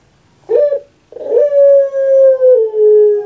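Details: Puter pelung dove kept at home gives a short opening note, then a long, steady, tonal coo held for about two seconds that sinks slightly at the end.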